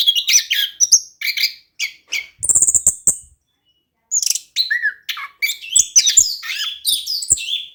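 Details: Rolling song of an orange-headed thrush, a lure for a bird reluctant to sing; varied whistled phrases, a buzzy rapid rattle near the third second, a short pause, then dense high notes.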